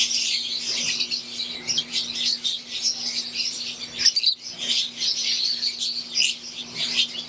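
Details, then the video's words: Green wild-type Fischer's lovebirds and Euwing lovebirds in an aviary keep up a dense, shrill twittering; chirps blur into a steady wash with a short louder flurry midway, low hum throughout. "Wild type Fischer green & Euwing | Relaxing Sound | Birds Chirping"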